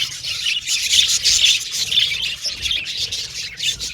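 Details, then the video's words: Several budgerigars chirping together, singing, playing and communicating: a dense, continuous mass of high, scratchy chirps and squawky twitters, overlapping with no pauses and rising and falling in loudness. "Budgies Chirping Sound"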